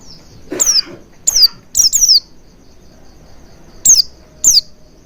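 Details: Oriental white-eye used as a lure to prompt singing: high, thin downslurred whistles in small clusters, with a lower brief rasp near the start and a long pause mid-clip before two final notes.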